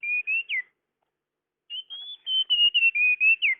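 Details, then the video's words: Lure recording of a tledekan, or blue flycatcher: three short whistled notes ending in a falling slur, a pause, then a fast run of level and slightly falling whistles. "Suara pikat burung tledekan"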